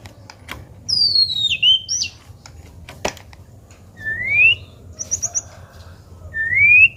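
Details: White-rumped shama singing: separated clear whistled notes, some sliding downward and others rising, with brief pauses between phrases and sharp clicking snaps mixed in.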